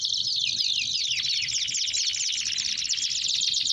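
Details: Belgian canaries in full song, with fast overlapping high trills and sweeping slurred notes forming an unbroken, buzzy stream, and a faint low rumble underneath.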